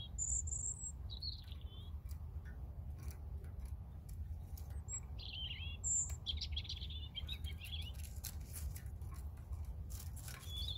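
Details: European robin song: thin, very high phrases alternating with quicker, descending warbles, each phrase separated by short pauses, over a steady low rumble.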